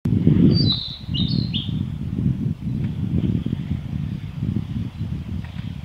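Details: Male Narcissus flycatcher singing on the Hinata forest road, 9 May 2021: a short phrase of clear, high, slurred whistled notes in the first two seconds, then silence from the bird, over a steady low rumble like a passing vehicle.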